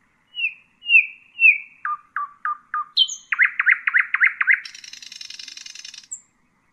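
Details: Nightingale song intended for teaching young birds: clear whistled notes near three kilohertz, a run of falling slurred notes, then a fast repeated trill and a dry buzzy rattle, ending on one high thin note.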